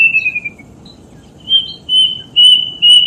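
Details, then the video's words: Death bird call: a drawn-out, slightly falling whistle, then a pause, followed by three loud, level whistled notes spaced roughly half a second apart, with faint low background noise. "THE VOICE CALL OF THE DEATH BIRD"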